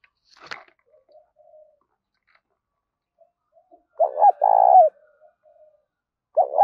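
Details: Spotted dove luring wild doves. A faint click and soft murmurs come first. Then one clear phrase follows: quick double hoot and a longer trilled coo. Another phrase starts right at the close.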